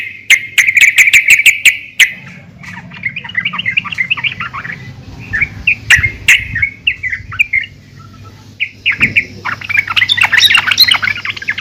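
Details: Yellow-vented bulbul female summoning the male, used to spur bulbuls into song. A dense burst of sharp chatter leads into scattered warbling phrases and spaced chirps, then ends in a busy tumble of notes.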